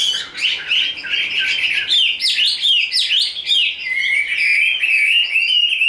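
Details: A large, pure-bred caged Chinese hwamei sings during a fanned-tail fighting display: bright swooping whistles and harsh buzzy notes mixed together, ending in a long steady rippling whistled trill.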